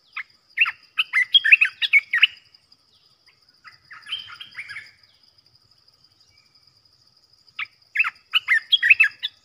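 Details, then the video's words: Caged trapping-decoy Olive-winged Bulbul. Two bursts of rapid, liquid, chattering notes frame a softer warbled phrase, with a long silent gap before the final burst. A faint steady high whine runs underneath. "เสียงต่อนกกรงตาแดงEp.15 นกต่อจ้าวหยก เสียงชัดดอกเน้นๆ Burung merbah belukar"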